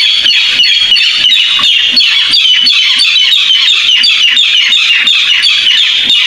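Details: Barred rail call used as a trapping lure; a loud, harsh, grating series of rapid pulses, about three per second, running continuously at a steady level.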